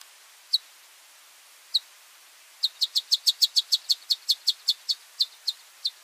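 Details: A male Long-tailed Widowbird, calling and displaying to a group of females nearby, gives sharp, high chips: two spaced notes, then a quick run of about five per second. Nothing else is heard.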